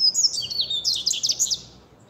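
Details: Seedeater pouring out a continuous stream of high, quick, warbling and twittering notes for nearly two seconds before fading out.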